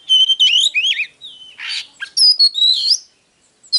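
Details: Oriental magpie-robin singing to provoke a male: a dense run of clear whistles, warbling wavy notes and a rasping burst in the middle, then long sliding whistled phrases ending in silence.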